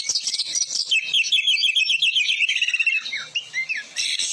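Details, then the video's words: Oriental magpie-robin singing steadily, recorded as a tutor for other birds: fast high chattering followed by a rapid descending series of repeated notes, then a pause and a few rising whistled phrases. "Masteran isian ful burung kacer gacor"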